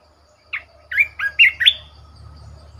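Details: Red-whiskered bulbul kept as a decoy bird, singing a brisk phrase of five clear, slurred whistles that rise then fall, followed by a low steady hum.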